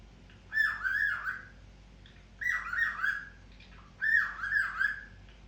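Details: Cockatiel calling: three warbling, slightly screechy phrases, each about a second long with a wavering rise and fall, repeated roughly every one and a half to two seconds against a quiet background.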